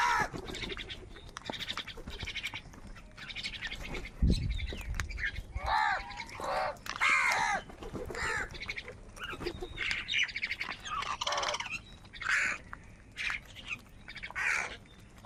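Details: Many crows fighting for food, giving a busy chorus of overlapping harsh caws and squawks almost without pause, with a thud partway through and constant background clatter.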